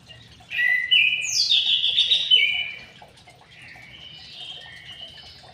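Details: White-rumped shama singing in an aviary: a loud run of clear whistles with a swooping high note, then a softer, lower warbled continuation over a quiet background.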